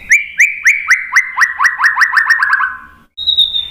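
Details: White-rumped shama lure song: a rapid sequence of similar whistled notes, each swooping up then down, accelerating over about three seconds, followed after a brief gap by a thin, steady high whistle.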